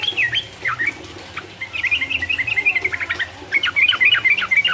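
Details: Yellow-vented bulbul song played to rouse rival birds: brisk, bright chirps and slurred whistles, several notes per second, building into a busy run toward the end.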